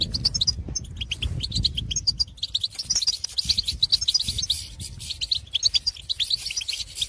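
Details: European goldfinches calling and twittering in open countryside to draw birds of their own species into song; bright, rapid high-pitched chirps run on steadily over a background of low rumbling noise.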